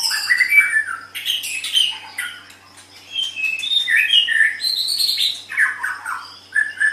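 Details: White-rumped shama pouring out a varied, scratchy warble of chattering notes, whistles and squeaks for training other birds, nearly continuous with brief dips, over a faint low hum.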